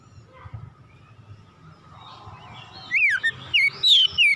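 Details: Oriental magpie-robin (kacer), agitated and showing off its full repertoire: nearly quiet at first, then from about three seconds a few loud, clear whistled notes sliding downward, repeated in short bursts.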